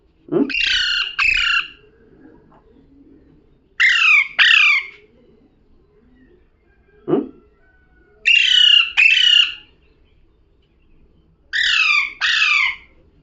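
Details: Parrot giving loud rasping squawks, each double note falling in pitch, delivered in pairs about every four seconds, with a few brief low clicks between them in otherwise quiet surroundings.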